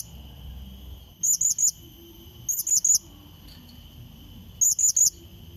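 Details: Blue-crowned hanging parrot call used as a lure to draw a rival: three groups of three piercing, very high chirps, each group under a second, repeated every one to two seconds above a constant thin hum.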